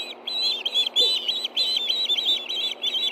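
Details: Two ospreys at a nest in Hellgate Canyon, Montana, food calling together as one takes a fish, recorded by nest camera on 9 September 2013 at 7:39 p.m.; shrill, piercing chirps repeated rapidly in a steady series.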